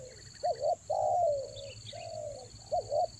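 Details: Spotted dove lure cooing for the rainy season, Toba style: a double hooting note, then long level coos that slowly fall, and the phrase starts again. Faint high chirps from other birds and a constant whine.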